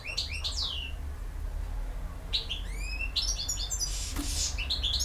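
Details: Campero-style song of a European goldfinch: clusters of high tinkling chirps and descending whistled slurs, with a pause in the middle, over a strong constant low rumble.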